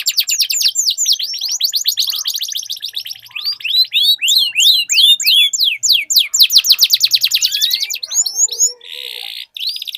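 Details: Two or more canaries duel in song with long rolls: quick sweeping trills and looping whistled notes pour out almost without pause. A short buzzy burst and a faint lower tone come near the end.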